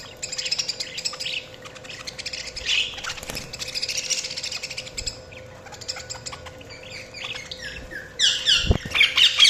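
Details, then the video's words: Budgie chatter starts as a soft, steady stream of high chirping, then breaks into a loud run of fast, sharp chirps and squawky notes in the final seconds, over a faint steady hum. "Budgies Sounds| Budgies Chirping sound"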